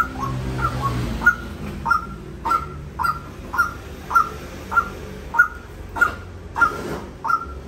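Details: White-breasted waterhen giving a steady series of brief upswept calls, about one every half second to just over, each note sharp at the top; low rumbling noise fills the background.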